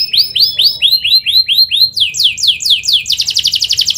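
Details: Canary song starting with evenly spaced arching whistled notes, then quicker steep downward sweeps, closing in a tight fast rattle of high notes.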